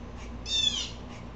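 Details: One fairly soft, harsh, hoarse jay note, about half a second long, from an upset blue jay against a low humming background.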